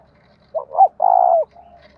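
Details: Spotted dove, 'giọng đồng thổ' style coo favoured for cage birds: two quick rising notes then a long, full, evenly held coo, followed by a soft trailing note over a quiet hum.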